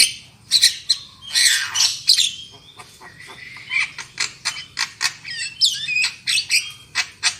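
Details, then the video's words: Black-winged myna song as a lure to prompt loud singing: harsh grating bursts followed by a long run of quick clipped notes and twisting whistled slurs, steadily repeated. "SUARA PANCINGAN JALAK KEBO AGAR CEPAT NGOCEH KERAS"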